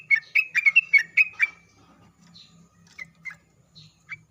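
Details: Sooty-headed bulbul lure song meant to make bulbuls respond: an opening burst of about eight quick whistled notes, then sparse single notes over a low background hum.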